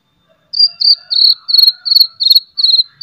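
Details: White-rumped shama with loud chattering and sharp whistles, meant to stir other shamas into song: a run of eight buzzy, slightly falling notes repeated about every third of a second over a faint lower tone.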